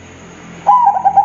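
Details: Zebra dove (perkutut) with an exceptional big voice: a single cooing phrase of fast, rolling soft notes rises out of a hissy, humming background and carries into a held coo.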